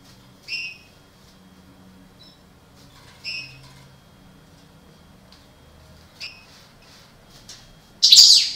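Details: European goldfinch, parva subspecies, from a breeding pair: three soft two-tone chirps spaced a few seconds apart in near quiet, ending with a sudden loud harsh burst.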